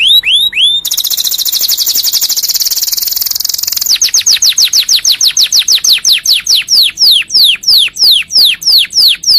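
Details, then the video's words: Canary song for training and stimulating other canaries: a couple of falling whistles, then a long dense high trill, followed by a lengthy series of downward-sweeping whistled notes that gradually speed up. "KICAU BURUNG KENARI COCOK UNTUK MASTERAN & PANCINGAN"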